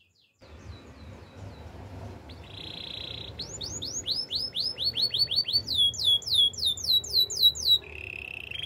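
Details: Spanish Timbrado canary song for training: soft notes build into a short buzzy trill, then loud series of downswept whistled notes about five per second, ending in a lower trill, over a low background rumble.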